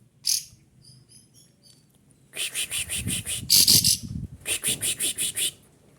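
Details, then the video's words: Excited kapas tembak white-eye calling loudly to challenge an opponent, tail opened. A high chirp is followed by faint thin notes, then a rapid run of piercing, evenly repeated high notes about five per second over low rumbling noise. "kapas tembak emosi bersuara lantang mencari lawan"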